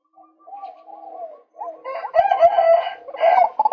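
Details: Male white-breasted waterhen, a recording meant to lure birds, giving soft wavering nasal notes that build into loud, harsh, harmonic-rich squawking calls with short sharp pulses.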